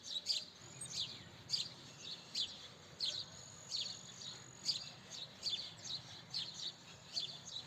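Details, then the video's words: Repeated high chirping from a house sparrow, around fourteen short notes over nearly eight seconds, uneven in timing, with a low background hum. "Chirping Sparrow Call - House Sparrow Call - House Sparrow Sound - Sparrow Chirping Sound - Sparrow"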